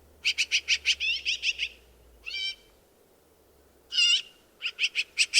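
Black-billed magpie giving harsh, rapid chattering notes in quick bursts, with a couple of longer raspy, nasal calls between them.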